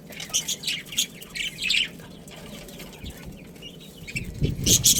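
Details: Breeding pair of budgerigars, Australian parrots kept as a family, giving short chirps and arched warbling notes in the first two seconds, then quiet, ending with rustling and broadband clicks.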